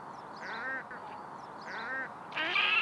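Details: Red-necked grebe from a breeding pair followed through spring: nasal, harmonic calls in two short bursts of rapid notes, then a louder, higher drawn-out wail at the end.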